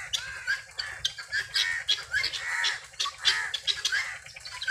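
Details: Free-range helmeted guineafowl searching for food: harsh, nasal squawking calls in rapid overlapping bursts, roughly every half second, as if several birds are calling together, with brief louder peaks throughout.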